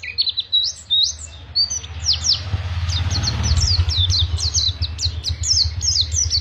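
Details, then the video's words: Pacitan Oriental white-eye delivering long ngriwik singing: quick, sharp, high-pitched twittering notes strung into fast chattering runs, with a steady low engine-like rumble growing underneath from the middle onward. "Pacitan Ori Ngriwik panjang"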